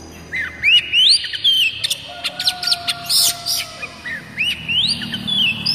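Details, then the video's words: Oriental magpie-robin (kucica kampung, kacer daput type) song used as a tutor and lure to make other magpie-robins sing: clear whistled rising and falling phrases mixed with harsh, buzzy bursts and quick chips in an irregular run. "Banyak kacer LANGSUNG BUNYI dengan suara khas kacer ini MASTERAN KUCICA KAMPUNG"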